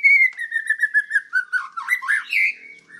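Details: White-rumped shama singing on a master recording for training other birds: a run of fast, steady whistled notes stepping slightly downward, breaking into a varied, warbling twist of rising and falling notes.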